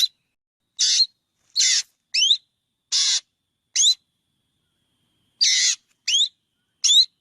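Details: Black drongo uttering rapid harsh, nasal buzzes alternating with quick upward-slurred whistles, about nine bursts with a two-second pause midway, no other sounds.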